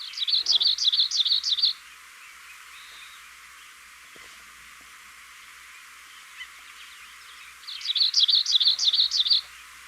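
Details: Black-throated gray warbler (Setophaga nigrescens) song: two buzzy, high phrases of about six quick wheezy notes each, roughly six seconds apart, over faint background hiss.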